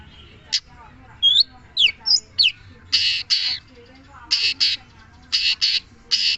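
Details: Long-tailed shrike, known locally as cendet, in song: quick high swept whistles give way to harsh, buzzy, scratchy bursts repeated in short groups.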